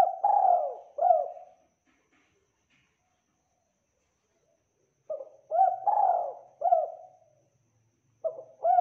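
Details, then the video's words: Spotted dove cooing steadily in a clean recording: the end of a phrase with two coos, several seconds of quiet, then a full phrase of lead-in note, rising coo, long swelling coo and short coos, and the start of another. "MASTERING TEKUKUR GACOR SUARA JERNIH TEBAL MEWAH"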